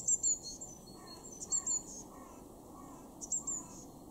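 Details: February 2023 garden bird in Weener, East Frisia, Germany: a Eurasian blue tit giving three groups of two thin, very high piping notes over faint steady background hiss.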